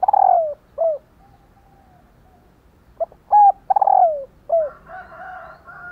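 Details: Female spotted dove giving calls meant to set males cooing: clear mid-pitched coos, some sliding downward, grouped in bursts of two to four with a pause between, and a softer, rougher calling near the end.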